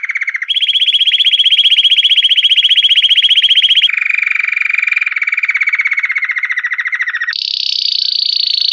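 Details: Belgian canary in campainha, or bell-style, song: a chain of rapid rolling trills that jump between pitch levels, a low burst, a long higher trill, a gently falling middle trill, then a final high, buzzy phrase.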